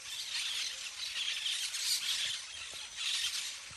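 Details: Treetop parakeet flock at play: steady, crowded high-pitched squawking and twittering, swelling in bursts over a few seconds.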